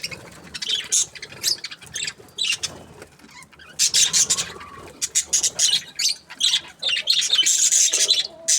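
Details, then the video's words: Chirping from budgerigars said to be happy comes in short, separated bursts of scratchy high notes, growing denser and busier in the second half. "Happy budgies chirping sounds"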